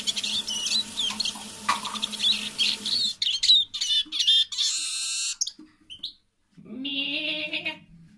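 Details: A decoy Eurasian siskin gives soft evening song. Three seconds of high twittering and slurred whistles are followed by scattered chirps, a harsh squawking sound, silence, and a low droning tone.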